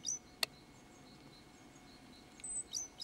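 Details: Great tit giving a rare communication call: a few thin, very high whistled notes spaced over three seconds, with one sharp click and a faint steady hum behind.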